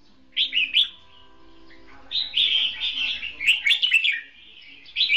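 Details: Decoy red-whiskered bulbul duel singing in a trap. Loud, clear, rolling warbled whistles, a short opening phrase, then a long continuous bubbling run, and a final brief note.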